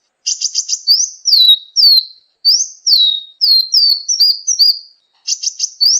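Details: Sunbird song used as a training recording for songbirds: high, thin whistled notes sweeping down, mixed with quick trilled bursts, in phrases separated by short pauses; no other sounds.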